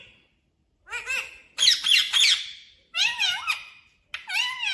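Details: Parrot calling indoors in a small room: loud harsh squawks and screechy, harmonic-rich bursts, some with bending whistled tones, in four clusters of about a second each separated by short silences.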